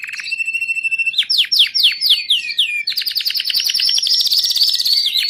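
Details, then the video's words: Belgian canary, domestic, singing a high trill followed by five loud downward-sweeping whistles, then a dense fast buzzing roll of notes carrying on to the end. "Canário belga doméstico cantando campainha/domestic Belgian canary singing bell"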